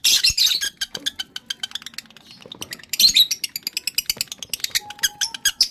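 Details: Breeding-condition male lovebird chattering almost nonstop: harsh squawky bursts and fast repeated sharp chips, several per second, easing briefly in the middle before a loud run of clicking notes.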